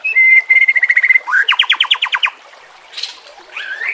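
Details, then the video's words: Training recording of a white-rumped shama: a steady high whistled trill, then a loud series of about nine rapid buzzy notes, a brief lull and a rising whistle at the end. "masteran murai batu"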